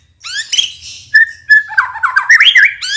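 White-rumped shama singing a fast, varied run of rich whistles: rising sweeps, short clear notes and a rolling warble, with a few harsher buzzy notes mixed in.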